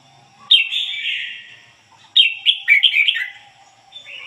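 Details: A red-whiskered bulbul used as a decoy sings ngoi bổi phrases: a sharp high note drawn into a long falling warble, then a choppier run of rapid tumbling notes ending in a softer trailing phrase.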